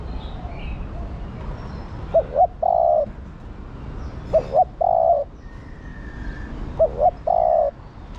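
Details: Spotted dove hen calling her mate. She gives three evenly spaced phrases of two quick hoots ending in a longer, level coo. Between phrases there is a low background murmur.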